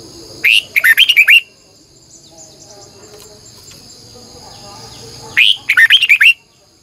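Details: Lure red-whiskered bulbul singing in the morning to stir other birds, delivering two bright, tightly packed phrases of looping warbles, each under a second, with a continuous insect buzz filling the pause between them.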